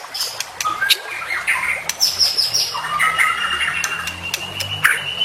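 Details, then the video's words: White-rumped shama (murai batu) in a full-isian masteran recording: softer, scratchy warbles and whistled phrases over a steady low hum and background hiss. "Masteran Murai Batu Full Isian"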